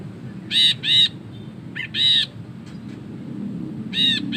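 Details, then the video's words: Ashy bulbul in ngekek chatter for master training: a pair of harsh buzzy notes, a short scratchy note and another loud rasp, then quieter and a final pair after a pause. "BURUNG BRINJI KELABU GACOR NGEKEK PANJANG"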